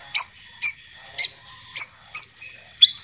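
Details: White-rumped shama in a recording featuring a champion and a young spotted-plumage bird: seven sharp, bright tik-like notes spaced about half a second apart, with thin high whistles lingering between.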